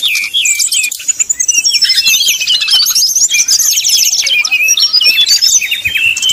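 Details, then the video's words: Srdc bird in 'nyuling' style, played to make rival birds sing. A dense, high warbling stream of fast note runs and trills, with whistled slurs at the start and finish. "srdc nyuling bikin lawan jadi panas penuh emosi pancingan srdc tercepat bikin srdc cepat ngeplong"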